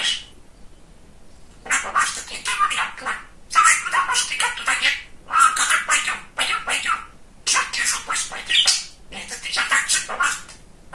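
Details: Talking budgerigar, a pet male described as very chatty and funny, kept indoors, chattering in rapid bursts of scratchy, warbling mimicry and clicks, several phrases separated by short pauses.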